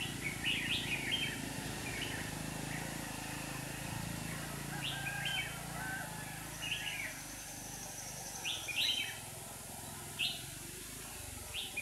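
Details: A trapping scene in Hòa Bình, Vietnam, with two decoy red-whiskered bulbuls luring rivals: sharp, spaced whistled notes and brief phrases, loudest near the start and end, with faint voices in the background.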